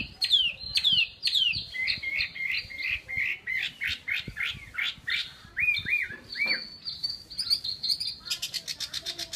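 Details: Chinese hwamei singing a varied run of loud, clear whistled phrases, with sharp downslurred notes, quick repeated trills and bright rising slurs, ending in a fast rattling series.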